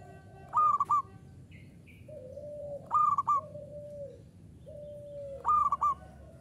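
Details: Local zebra dove (perkutut lokal) in the common 'uraa' song style, singing steadily: a high warbled trill-like note followed by long, low, level cooing notes, the phrase repeating about every two and a half seconds.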